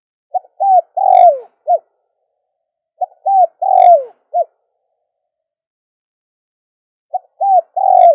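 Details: Lure call for doves, repeated roughly every three seconds. Each phrase has a short note, an arched coo, a long descending coo and a quick ending coo, all low-pitched and soft, with clean silence between phrases.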